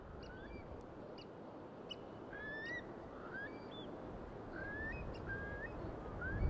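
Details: Seagulls calling by the sea on a breezy beach, with a series of short, rising, clear calls every second or so over a steady roar of waves.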